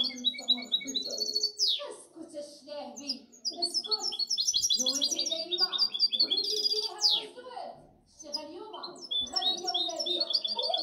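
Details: Song of a European goldfinch hybrid, recorded 2019–2020: a fast, continuous jumble of twittering, tinkling notes and buzzy trills, with rapid high chattering phrases and occasional sweeping slurred notes running throughout.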